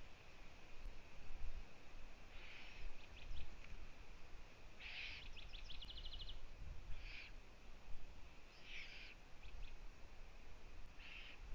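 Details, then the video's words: Eurasian eagle-owl at a nest with owlets under a live camera in Latvia, afternoon of 1 June 2017, as the female visits her young: short raspy hissing bursts every two to three seconds, brief ticking runs, steady background hum. "Eurasian Eagle Owl~Bo vists her Owlets~"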